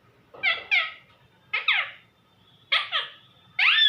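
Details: Pet parrot calling mummy in a small room: paired short, two-part squawks repeated three times about a second apart, ending in a sustained louder rising call.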